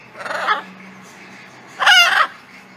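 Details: Wild blue-and-yellow macaws visiting daily to be fed give two loud, harsh, raspy squawks, each about half a second long and roughly one and a half seconds apart, with quiet background between them.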